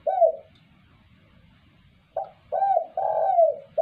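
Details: A spotted dove calling clearly, used to attract other birds: one falling coo, a pause of nearly two seconds, then a phrase of short and long low coos, the longest bending downward at its end.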